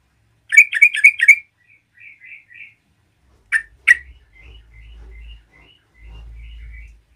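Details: Yellow-vented bulbul singing to provoke other bulbuls: four loud, bubbly notes in quick succession, then soft twittering, two sharp calls and a string of faint chirps over a low hum.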